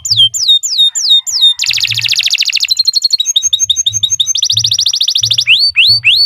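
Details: Canary song meant for training other birds: looping downward whistles, a loud buzzy rattling trill, quick chattering runs and sweeping slurred notes, over a faint low pulsing hum.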